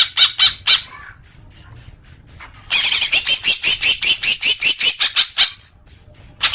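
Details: Leafbird song for newly caught young birds as therapy: scattered sharp notes, then a fast run of upslurred whistles, over a steady high pulsing tick in the background.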